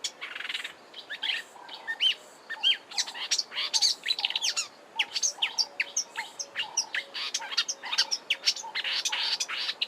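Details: A Marsh Warbler sings a fast, rambling, continuous jumble of high chirps, trills and repetitive whistled notes, packed with mimicked phrases of other birds, at Kap River Nature Reserve, Eastern Cape, South Africa, in March 2020.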